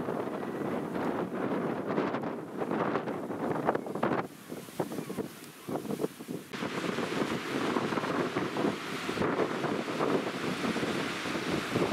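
Strong wind buffeting the microphone over the rush of surf, with no animal calls.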